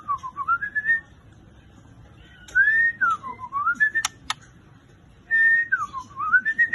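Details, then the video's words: White-rumped shama song in the torotol style: a wavering whistle that falls and climbs, repeated three times at intervals of about two and a half seconds, with a couple of sharp click notes in the middle. "MURAI BATU TOROTOL"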